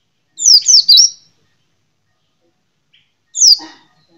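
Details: White-eye delivering three rapid, high, sharply falling chirps, then after a three-second gap a single similar shrill note.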